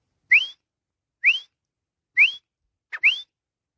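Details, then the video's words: Teetar, the grey francolin, gives a series of four bright, upslurred whistles spaced roughly a second apart, the last preceded by a short lower note, against a silent background. "jungle Teetar ki Awaz"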